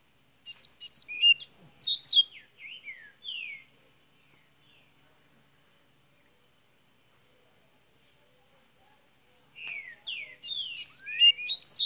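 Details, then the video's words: Minas Gerais double-collared seedeater starting its song: fast tangled high twitters and downslurred whistles, a long silence of several seconds, then another rapid chattering phrase at the end. "coleira golinha de minas gerais abrindo canto"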